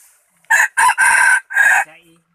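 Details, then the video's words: Crowing rooster, one of a pair, delivering a harsh, buzzy call of four bursts: two short clipped syllables, then a long drawn middle note and a final shorter one, all within about one and a half seconds against a quiet background. "Qaib dib qua zoo heev li"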